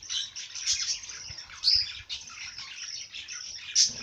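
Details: Busy high chirping bird song, a continuous twitter broken by two sharp, whistled peaks.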